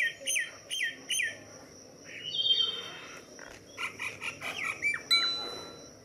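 Common myna giving a varied run of sharp chirps, down-slurred whistles and harsh chattering notes, with a faint steady high hum behind.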